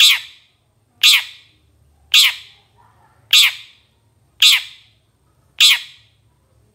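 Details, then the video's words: Long-tailed shrike in a training master track: rasping, descending harsh notes repeated steadily about once a second, seven in sequence, over quiet low background hum. "Kicau Masteran Suara Cendet"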